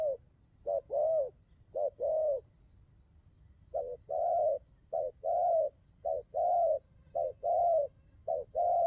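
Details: Spotted dove in đồng gù rước cooing: a few paired hoots, a pause of about a second, then a steady run of short-then-long low mellow coos.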